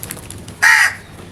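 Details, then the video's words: A crow gives a single loud, harsh caw lasting about a quarter second, slightly falling at the end, after faint ticking background sounds. "The Smart Crows Genuine and Natural Sounds loudly"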